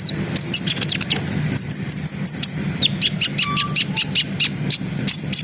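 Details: Brown-throated sunbird in full ngriwik-ngerol song, played to lift breeding arousal in untrained birds: rapid series of sharp high clicks and chirps in rhythmic bursts, one short low whistle, and a steady low hum.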